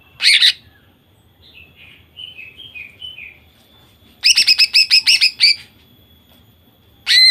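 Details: Female greater green leafbird, singing to stir males into song: loud harsh buzzy chatter bursts at the start, middle and end, with a run of soft, slurred whistles between them.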